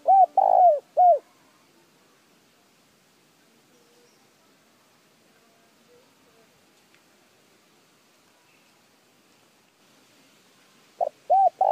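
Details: Spotted dove coos meant to stimulate bird calling: a three-coo phrase opens, followed by about nine seconds of near silence with faint rustles, then the same pattern of a short note and three mellow coos returns.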